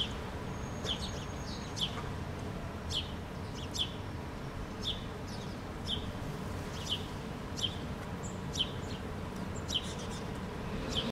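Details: Park-dwelling house sparrows in Helsinki, Finland, August 2013, chirping steadily, with short, high, clipped notes repeated roughly every second, over a continuous low background rumble.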